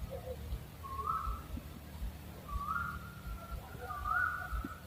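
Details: {'caption': 'Owl giving three soft whistled notes that rise then level out into long tails, roughly one and a half seconds apart, against a low rumbling background.'}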